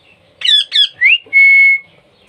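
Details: Baby parrot being hand-fed, making begging sounds: two harsh raspy squawks, a rising whistled note, then a long, steady, pure whistle held for about half a second, in a quiet indoor setting.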